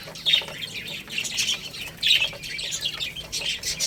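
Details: Baby chicks eating rice produce a continuous wash of high chirps, with two sharper peeps standing out about two seconds apart, over soft pecking noise.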